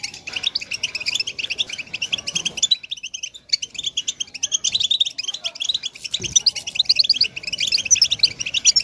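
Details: Goldfinch song in nature, a rapid, high twittering stream of tinkling notes and trills, pausing briefly midway before resuming, with a low thump near the end.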